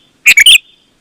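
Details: Sooty-headed bulbul, recorded to draw other bulbuls into answering: a single loud, rapid phrase of three bright, bubbly notes, the last one slurred, on an otherwise quiet background.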